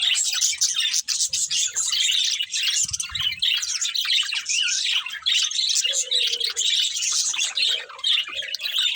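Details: Budgerigars as pets chirping and warbling nonstop, high buzzy chatter with rapid twittered notes and a few short lower squeaks, several birds overlapping.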